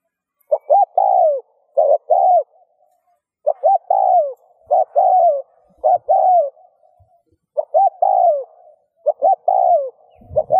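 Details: Repeated spotted dove coo for stimulating other doves to coo: around seven phrases, each a couple of clipped notes and a mellow falling coo, spaced unevenly over ten seconds, with a low thump at the end.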